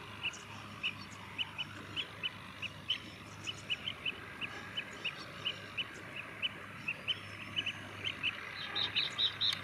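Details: Common mynas, a group of four, give a steady run of short clipped notes, about three each second, then a brief burst of higher squeaky notes at the end, against a constant low hum.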